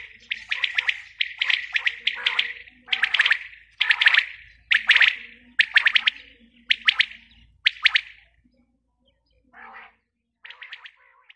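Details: Female quail calling: bursts of sharp, chirpy notes in quick series, about eight groups over several seconds, then a pause and two softer bursts; a low steady hum runs beneath.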